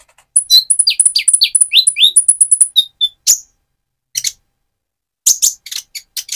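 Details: Van Hasselt's sunbird, mottled plumage moulting to metallic, singing to stir another sunbird: a fast run of alternating very high ticks and downslurred whistles for over two seconds, then sparse sharp chirps.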